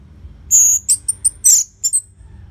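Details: Orange-headed thrush song, loud and closely spaced, used to get silent caged birds singing: a long thin high whistle followed by several quick piercing notes.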